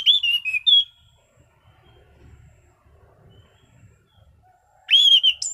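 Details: An orange-sided thrush delivers a relaxed, clear song: a loud slurred whistled phrase opening, quiet low murmuring noise through the middle, then another bright looping whistle with a high squeaky ending.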